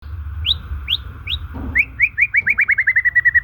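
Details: White-rumped shama song in its natural voice, used to lure and stimulate shamas that have stopped singing or are stressed: three rising whistled upsweeps, then a quickening run of short repeated notes that speeds into a steady trill, over low hum.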